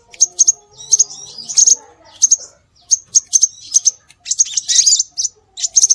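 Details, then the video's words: Scarlet minivet lure calls for attracting birds: short, high, piercing chirps in pairs and small clusters, with one denser buzzy burst, over faint lower background chatter. "Suara Burung Sepah Raja"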